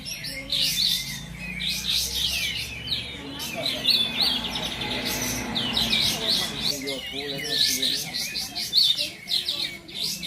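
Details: Several caged kapas tembak bulbuls in a Bonjol, Pasaman Timur singing competition pour out rapid, overlapping chattering phrases, while an announcer's voice rises briefly in the middle.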